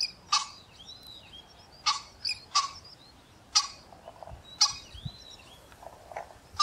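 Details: Common pheasant (Phasianus colchicus): a female answers a calling male with short, sharp, clipped notes at irregular one-to-two-second intervals, with faint thin arched whistles from other small birds.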